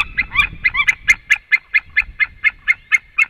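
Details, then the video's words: White-tailed eagle pair, male and female, calling at the nest at 18:28 before leaving; a quick, regular series of about fourteen sharp yelping notes, a few doubled notes at the start, with faint background rumble. "juras erglis Male and Female came home call and left the nest"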